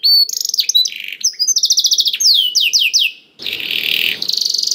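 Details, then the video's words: Canary song to prompt other canaries to sing: quick chattering notes and a run of descending whistled slurs, ending in a harsh noisy burst with a high trill. "KENARI GACOR DOR INI MEMANCING KENARI YANG SUSAH BUNYI JADI IKUT GACOR #185 || VOICE OF CANARY"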